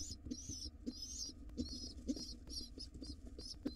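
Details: Wild pigeon chicks in a nest box beg as their father feeds them, giving drawn-out high squeals and shorter peeps, mixed with low knocking and rustling sounds.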